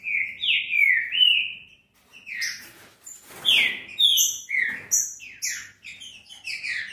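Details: Whistled green-winged saltator song for warming up a captive bird. Rich, slurred notes come in a long run, then a short gap, then faster, higher sliding phrases.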